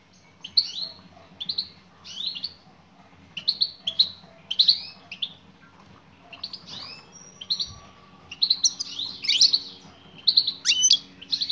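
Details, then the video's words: European goldfinch, a female calling to a male. Regular high, slurred chirps come in pairs about once a second, then livelier, denser twittering with sharp rising notes near the end. "بتبتات أنثى مقنين"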